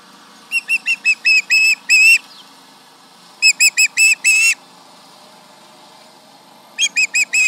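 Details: At the Charlo osprey nest on July 31, 2019, late morning, an osprey yells at a nearby tractor: three bursts of piercing whistled yelps, roughly seven, six and four notes, with quiet gaps between.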